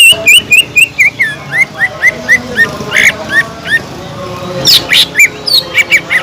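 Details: Greater green leafbird singing steadily, meant to excite leafbirds lacking aggression: a rapid run of clear whistled notes that step gradually lower, then higher sharp rising whistles and chips near the end.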